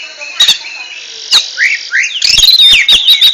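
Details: Oriental magpie-robin (kacer) giving ngentrok-style song: a few isolated chips, two husky upward slurs, then a rapid rattling series of sharp notes over a thin sustained whistle.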